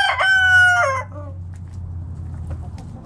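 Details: Morning in a backyard chicken flock out foraging; the loud, harmonic tail of a crow falls away in a drawn-out final note, followed by near silence with a low steady hum.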